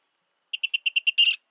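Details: Virginia rail: six clean, evenly timed high ticking notes in quick succession, then a longer, louder rasping note closing the run, in an otherwise silent background.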